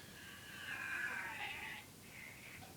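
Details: Pet parrot, described by its keeper as crazy, making a harsh, wavering screech that slides and warbles for nearly two seconds, followed by a shorter, fainter nasal note.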